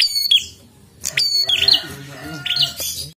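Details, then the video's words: Prinia in full, insistent song: piercing high chirps and scratchy, slurred notes in irregular bursts, accompanied by a soft, steady murmur of human talk in a small room. "Prenjak Gacor Ngotot"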